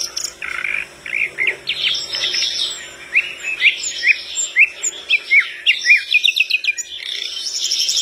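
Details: Flycatcher singing steadily as other birds respond: a long series of sharp upslurred chirps repeated at a quick pace, over a layer of thin high whistles from other birds.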